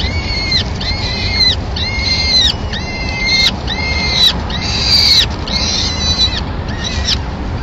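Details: At a Madrid nest on 25 April 2016, a female peregrine falcon brings a pigeon and feeds her chicks after the watching male departs. Loud, even, ringing wails come in a steady series of eight with brief gaps, over constant low background noise.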